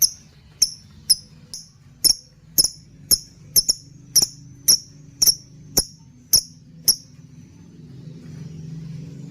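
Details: Lovebird lure call for tutoring other birds: a run of piercing, clipped chirps about every half second, one quick double, then silence with a soft low hum.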